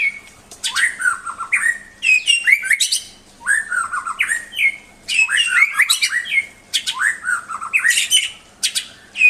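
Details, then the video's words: White-rumped shama in full song, repeating loud complex phrases of whistles and sharp chattering notes roughly every two seconds, with a faint steady hum behind. "Kicau murai yang bikin ngiri nie super banget"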